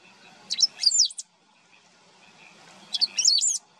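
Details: Great pampa-finch song from estuary wetlands in Maldonado, Uruguay, September 2022: two high, squeaky phrases, each opening with sharp clipped notes and ending in a fast jumbled twitter, about two and a half seconds apart.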